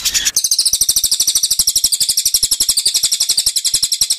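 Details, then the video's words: Cililin song used to train white-rumped shamas, a fast continuous rattle of high, buzzy notes, roughly eight each second, kept up evenly throughout. "cililin vs cucak jenggot - masteran murai batu"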